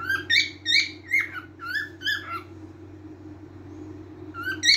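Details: A cockatiel chatters through a rapid run of bright, warbling whistled notes, sometimes stepping sharply up in pitch. The notes fade out midway and return near the end. A steady low mechanical hum runs throughout.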